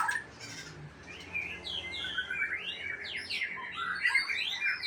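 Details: White-rumped shama from Aceh singing over background hum, a dense jumble of fast swept notes and chirps, quieter than the surrounding recording.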